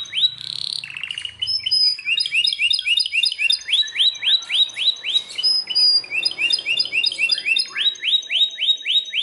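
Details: Loud singing Belgian canary: a brief buzzy note and short trill, then long runs of bright rising chirps repeated roughly four times a second, with layered high whistled notes above.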